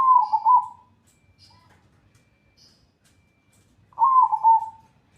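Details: Zebra dove song in a training recording of the upper-and-lower style: two trilled, bubbling coo phrases about four seconds apart. Faint high chirps come through between them over quiet background hiss.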